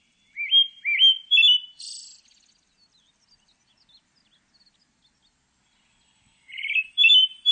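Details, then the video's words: Pale thrush giving a short run of three rising whistled notes that step upward, then a brief high buzzy note. A long pause follows before another pair of whistled notes begins. No other sounds are heard. "흰배지빠귀, 1번 듣기, 곤충소리, 새소리"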